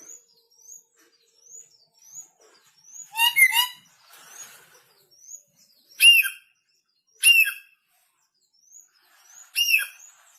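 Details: Red lory, newly arrived from North Maluku and still aggressive: one broad harsh screech, then three shorter sharp squawks, amid regularly repeated faint high whistles from another bird.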